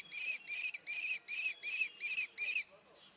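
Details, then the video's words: Seven loud, shrill, evenly spaced notes from a common kestrel, each a short harsh ringing 'kee', delivered about three per second. "황조롱이 울음소리 Common Kestrel sounds"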